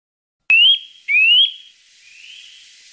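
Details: Eurasian nuthatch call used as a lure to attract birds: two loud, clear whistles, each rising steeply then levelling off, about half a second apart. A fainter, softer third whistle trails after them.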